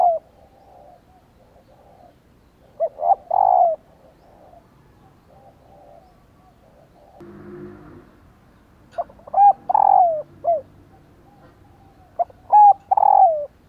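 A female spotted dove gives soft, low, hollow coos in short phrases that stir males to answer.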